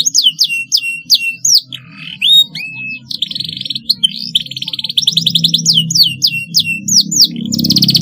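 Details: Canary song presented as a model for young canaries learning to sing: repeated hooked downslurred notes, a short low dip, then rapid buzzy trills and rolls over a faint hum.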